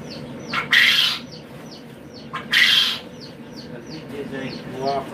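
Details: Two loud, rasping squawks from an Ayam Cemani chicken about two seconds apart, followed by a softer, tonal call near the end, with small birds steadily chirping high, brief notes behind.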